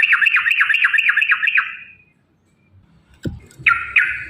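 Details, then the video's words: Yellow-vented bulbul (trucukan) in a rapid, long 'ropel' song, used as a lure to get caged birds singing: a fast string of loud, chattering notes about eight per second, a pause, a sharp knock, then more bubbling notes, with a faint low background hum. "trucukan gacor TARUNG ROPEL PANJANG"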